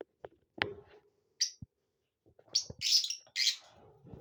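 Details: Lovebirds in a happy mood give shrill, high chirps in scattered bursts, with a few softer low clicks and rustles between them in a quiet indoor space.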